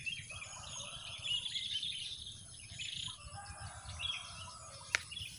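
Prinias chatter with a dense wash of high, quick chirps and scratchy notes, several voices overlapping, with a soft background hiss and a sharp click near the end.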